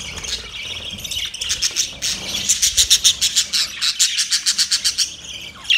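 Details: Budgerigars chirping on a morning of October 1, 2023: high, bright chirps that begin scattered and become a fast, pulsing run of sharp twitters at about three to four per second, with a softer warbling chatter underneath.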